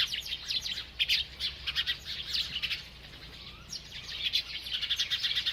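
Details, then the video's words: A feeding bird chirps almost nonstop, giving dense runs of sharp, high twittering notes that rise and fall in loudness, with a short quieter gap midway, over a faint steady low hum. "This Happy Bird Won’t Stop Eating and Chirping"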